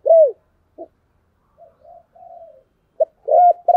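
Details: Spotted dove lure cooing: one strong arched coo, then faint soft notes, ending with a short phrase of low coos starting again, quiet between phrases.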